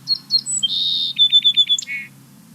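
Song Sparrow song: a few clear introductory notes, then a buzzy sustained note, a quick series of repeated chips, and a closing trill, all high-pitched.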